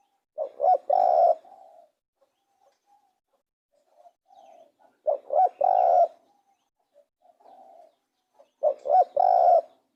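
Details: Spotted dove repeating its cooing phrase three times about every four seconds. Each is two quick notes and a long loud coo, with quieter coos between phrases.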